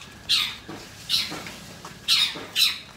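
A Long-tailed Shrike gives four harsh, rasping squawks about half a second to a second apart, loud and scratchy, with faint room noise behind.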